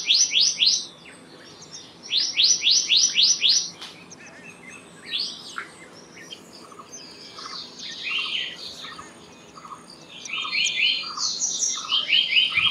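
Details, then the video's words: Black-naped monarch with two quick runs of sharp rising notes early on, followed by scattered softer chirps and short note strings, against a light background of other birds and insects. "Black-naped Monarch Song! Black-naped Monarch Call! Black-naped Monarch Sound"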